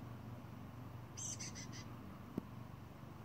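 A young chickadee gives a quick burst of four high, buzzy notes in under a second, over a low steady rumble with one sharp click afterward.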